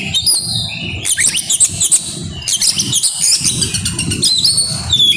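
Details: Grabakan song of an oriental magpie-robin with isian: bursts of high, jumbled chirps and clear sliding whistles, briefly pausing between phrases, over low background rumble.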